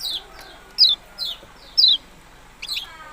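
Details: High, clear descending call notes of a yellow-bellied prinia, four evenly spaced slurs followed by a different short double chirp at the end.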